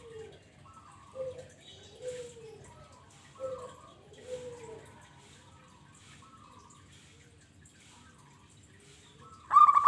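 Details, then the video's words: Zebra dove used as a trapping lure, giving a series of soft, short falling coos and stuttered notes in a quiet setting, a sudden louder burst at the very end. "Pancingan Burung pekutut"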